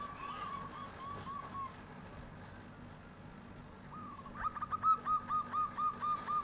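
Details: Local zebra dove, kept bird, answering a passing tofu seller with its fluting song: a soft whistled phrase, a pause, then a loud series of about eight evenly spaced trilled coos, with steady low background noise.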